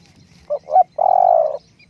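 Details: Short fragment from a decoy spotted dove: two quick low hoots followed by one sustained purring coo.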